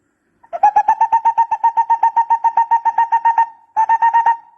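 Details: Barbet call recorded as a decoy sound: a fast, steady run of mellow hollow notes, about four per second, continuing for three seconds, a brief pause, then the run resuming, with no other sounds.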